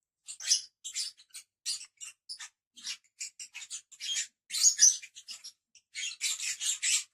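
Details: Lovebirds chattering in quick, high-pitched squeaky chirps, irregular short notes crowding into louder buzzy bursts near the end.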